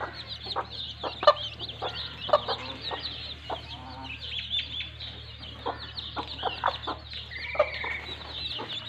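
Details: Broody mother hen with her chicks playing in mud: low, short clucks repeat irregularly about once a second, over a constant stream of high, thin chick peeps and a steady low hum.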